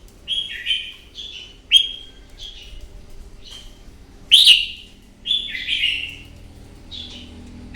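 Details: Morning fighting song from a wild-caught red-whiskered bulbul, used as training playback: a quick series of clear whistled, downslurred phrases, some short and some longer, coming roughly every half second to second, with a loud burst near the middle.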